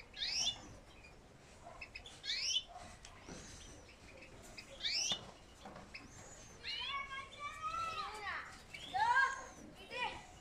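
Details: Young home-bred European goldfinches raised by a keeper for the 2020 season, giving thin, sweeping chirps that rise and fall in short bursts, with a quicker run of descending notes toward the end and quiet background noise.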